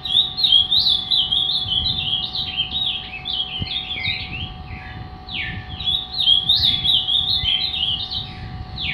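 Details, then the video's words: Ultramarine grosbeak, a three-year-old fibra bird said to be angry, delivering lively repeated bursts of quick rising and falling whistles, about three notes per second, with brief pauses between phrases; steady hum in background. "Azulão zangado show a parte."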